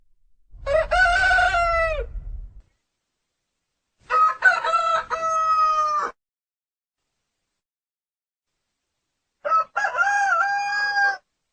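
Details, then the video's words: Rooster crowing three times, each harmonic, drawn-out crow lasting about two seconds, separated by several seconds of silence; the first crow has a low rumble beneath it. "The sound of cock cock Warble roster sound"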